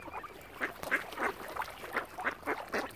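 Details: Ducks surrounding a swan family on Lough Neagh at Oxford Island, Ireland, give harsh, nasal quacks in a quick, uneven series of about eight calls over three seconds.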